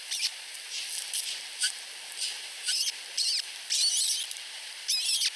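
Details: Two osprey chicks under a week old in a nest in Finland beg while competing for food from their mother; thin high cheeps and squeaky bursts come in irregular groups over a steady hiss.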